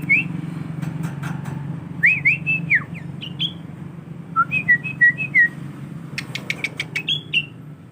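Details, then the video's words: Tame young male sooty-headed bulbul kept in a collection, learning petetan, a trained song style. It gives clear, slurred whistled notes, rising and falling, in short phrases, over a steady low hum. "Burung Kutilang Jantan Jinak Ajar petetan"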